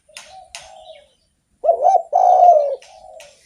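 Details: Actively singing spotted dove used to lure or excite other doves; a soft trailing coo, silence, then a bubbling rising-falling note and a loud sustained hoarse coo that fades, with faint clicks in the background.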